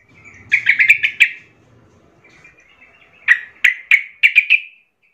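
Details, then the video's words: Young wild sooty-headed bulbul song for training young birds: a fast burst of chirps, a quiet gap, then a second series of six sharp bright notes. "trucukan gacor Muda hutan - Paling Pandai MELATIH trucuk Bakalan/Ombyokan Cepat Gacor"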